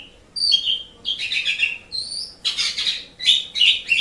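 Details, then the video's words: Asian pied starling, played to train pet birds, gives a lively mix of shrill whistles and harsh chattering bursts in short phrases separated by brief gaps. "Suara Burung Jalak Suren"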